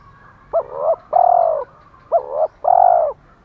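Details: Decoy spotted dove with a 'thổ pha' voice style, giving fighting and calling coos: two phrases, each a short wavering double note followed by a long, steady, slightly falling low coo, with faint background hum.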